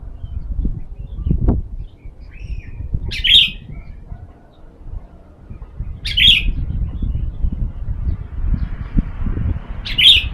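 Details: Sooty-headed bulbul (kutilang) in sunning therapy, used to lure other birds; three brief whistled phrases about three seconds apart over steady low rumbling background noise.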